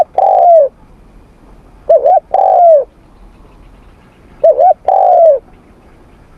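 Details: Spotted dove in morning voice training, repeating a two-part phrase twice: a short wavering double note then a long mellow falling coo, about every three seconds.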